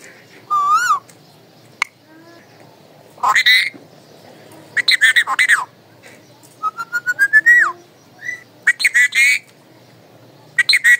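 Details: Pet talking parrot's calling voice in a room: wavering whistled notes that rise and fall, mixed with bursts of harsh, buzzy squawks and quick chattering notes.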